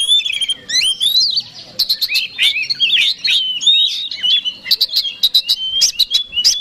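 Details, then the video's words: Oriental magpie-robin (kacer) fighting song used to provoke a rival bird, a dense run of high whistles, sweeping slurs and sharp chips tumbling quickly without pause, with no other sounds. "PANCINGAN KACER SUPER BOCOR NGOTOT TARUNG BIKIN LAWAN MBAGONG"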